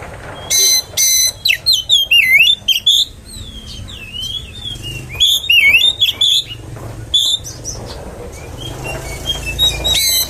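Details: Lure song of an oriental magpie-robin, played to provoke other magpie-robins: a loud opening of harsh rasping bursts, then tumbling whistled slurs and trills. It thins to softer scattered notes before ending with another rasping burst.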